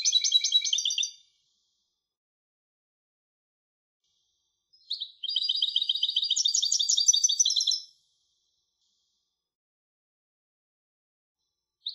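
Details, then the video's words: European goldfinch hybrid singing in bursts: a short twitter at the start, then a three-second chattering, trilled phrase after a silence. A single brief note closes the recording. "تغريد هجين الحسون Canto De Mixto del Jilguero"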